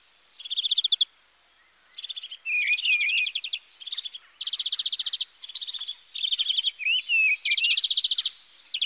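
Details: European greenfinch song: bursts of rapid, buzzy trilled notes alternating with twittering phrases and short wavering whistles, delivered in quick segments with brief pauses between them.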